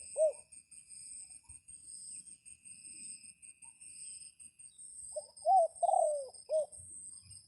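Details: Red junglefowl decoy crowing to call wild junglefowl during the rainy spell: a short clipped note, then after a pause a multi-part crow of rising and falling hoarse phrases, over a steady high shrill insect chorus.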